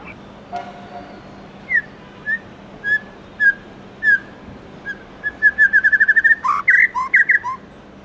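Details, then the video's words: Morning forest-voice song of a white-rumped shama: spaced, soft, falling whistles that speed into a rapid repeated series, then louder, complex, warbled phrases at the end. "Chích chòe lửa Hót Giọng Rừng cực hay buổi sáng"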